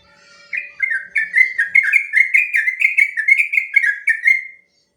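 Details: Sooty-headed bulbul delivering an unbroken four-second string of bubbling, slurred whistles, about fifteen notes gently rising in pitch, from a long rolling song used to train other birds.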